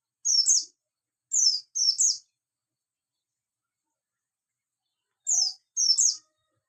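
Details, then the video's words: Morning chirping from a buxtoni Javan white-eye: thin, high, quickly falling notes given singly and in doubles, with a long silent gap before the last pair. "pleci bustomii di pagi hari"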